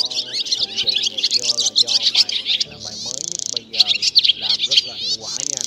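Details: Swallows, named as black swallow with white belly, calling the flock and calling to roost, a recording played for net and glue trapping; dense overlapping high chirps and twitters with buzzy trills, many birds at once.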